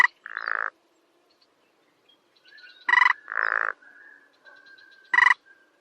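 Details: A sparrow-sized rail of grassy meadows and wetlands, known only by its voice, gives rasping pulsed notes, each followed by a lower buzzy grunt. The pairs come about every two seconds, with faint thin squeals between them.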